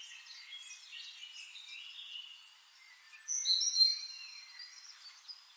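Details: Flame-faced tanager giving thin, high twittering notes, faint at first, then a louder burst of sharp, squeaky chips and short whistles midway before fading back to soft chatter.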